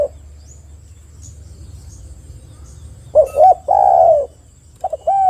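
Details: Spotted dove lure meant to make doves start singing: about three seconds of near silence with a faint high hum, then bubbling short hoots and a long falling coo, with more notes starting at the end.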